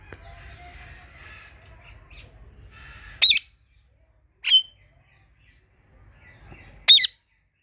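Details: Parrot uttering three sharp, high, piercing chirps spaced about a second or more apart, over a faint background murmur.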